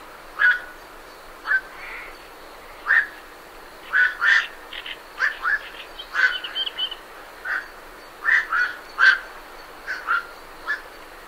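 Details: Birds leaving a night heron roost, giving a busy string of short harsh croaking squawks, sometimes in quick pairs, roughly every second, with Great Reed Warblers faintly audible in the background.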